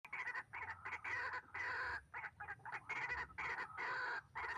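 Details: White-breasted waterhen heard while being trapped with a hanging snare trap, described as very fierce: loud, harsh, croaking notes in rapid bursts, separated by brief pauses.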